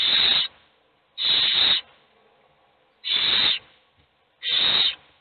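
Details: Owl chicks in a nest box, all hungry while only one eats, give loud rasping hissed begging screeches, four half-second bursts spaced about one and a half seconds apart.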